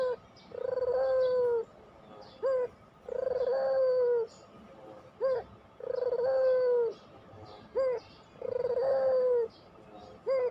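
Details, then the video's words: Training-lure cooing of a Barbary dove (puter pelung): four steady, humming coos about a second long, each followed by two quick upswept notes, in an even rhythm. "masteran puter pelung, 100% AMPUH pikat PUTER MALES BUNYI JADI GACOR MANGGUNG, PANCINGAN PUTER"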